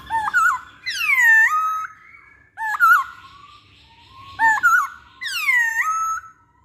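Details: Masked laughingthrush lure song: a quick warbled note followed by a long, ringing, down-swept whistle that levels off. The phrase is repeated about every four seconds.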